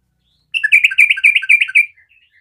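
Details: Actively singing sooty-headed bulbul, called 'garuda', played to prompt other bulbuls to answer: a lively burst of rapid, ringing chirped notes lasting over a second, then a few soft trailing notes.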